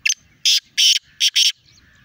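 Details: Black francolin, known locally as kala teetar, calling in Sindh, Pakistan. It gives a loud, harsh, grating phrase of five rasping notes in quick succession. Two short notes lead, then longer ones follow, with the last pair run close together.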